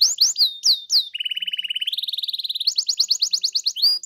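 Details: Canary song used to provoke another canary into singing: sweeping whistled notes at the start, then a fast buzzy trill, a higher rapid rattling trill and further quick repeated upswept phrases ending in a whistle.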